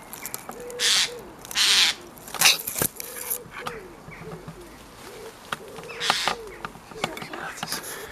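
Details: Eurasian jay chicks begging while their mother still feeds them outdoors, giving harsh, rasping bursts repeated irregularly, with a repeated low tone and background noise between the calls.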